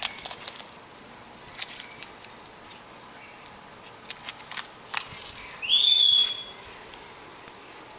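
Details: A pet lorikeet, playing around clumsily on a coffee table, gives one harsh, high, slightly falling screech lasting about half a second, among scattered sharp clicks and taps.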